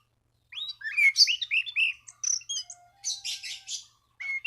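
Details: Orange-banded thrush song aimed at rivals to set other thrushes singing; a varied, fast jumble of whistled slurs, chips and buzzy high notes, with a faint steady low tone in the background.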